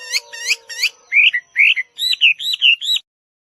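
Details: Chinese hwamei giving a short burst of song: three harmonic-rich notes, then slurred whistles and a quick trio of arched notes before silence.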